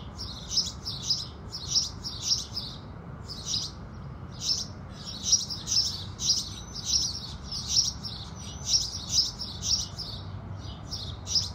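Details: House sparrows in the early morning sun: a long sequence of emphatic high chirps, sometimes paired, sometimes spaced a second apart, with a brief thin whistle mixed in and a low steady hum beneath.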